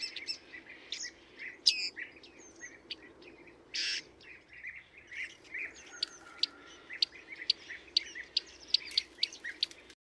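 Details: Bearded reedlings at a bird-watching hide in Emmen, giving many sharp, high, metallic pinging calls, some overlapping, in a busy irregular series that quickens toward the end.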